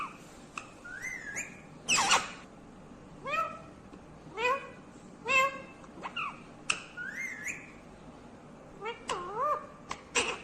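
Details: Green ringneck parrot talking in a run of short harmonic syllables, some rising, some curving, with clicks and one noisy burst scattered among them over a steady background hiss.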